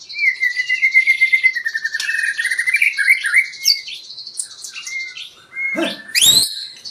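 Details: White-rumped shama song used as a lure to make birds sing: a long rapid trill of repeated notes at steady pitch, a few whistled phrases, then a harsh loud burst near the end.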